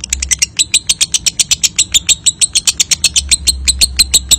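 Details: A lovebird in extended ngekek chatter, meant to provoke other lovebirds into singing on the contest pole: some thirty sharp, high, rasping notes in quick even succession, slightly irregular at the start, over faint low hum.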